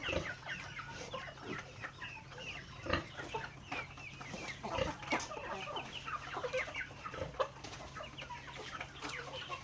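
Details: Several backyard chickens pecking grains during their daily feed, giving soft scattered clucks and short murmuring notes over sharp pecking clicks and a steady low hum.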